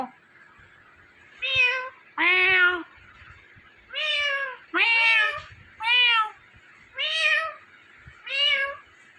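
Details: Talking Indian ringneck parakeet giving about eight nasal, cat-like meow calls, each under a second, spaced roughly a second apart over a faint steady hiss.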